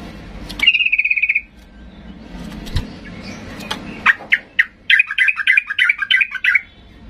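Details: Agitated Sooty-headed bulbul calling to goad quiet birds into replying. A brief buzzy trill opens, followed after a pause by a loose series of sharp chirps and chattering notes with faint background rumble.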